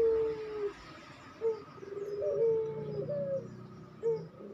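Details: Captive Barbary dove, pelung type, cooing rapidly as a training recording: a long even coo, then short accented notes repeating about every two to three seconds, with overlapping tonal coos and a soft low purr beneath.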